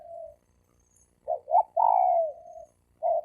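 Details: Male spotted doves, wild birds, in a fighting duel, 2020. Low coos, then a rising two-step phrase leading into a long drawn, slightly falling coo. Another short coo closes it, and a faint low rumble sits underneath.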